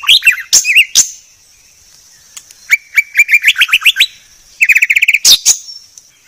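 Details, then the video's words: Clear 'masteran' training song of a white-rumped shama: opening sharp chips and warbles, a pause, then a rising series of quick whistled notes, followed by a fast trill of repeated chirps and a loud buzzy burst. "Masteran Murai Batu Paling Jernih"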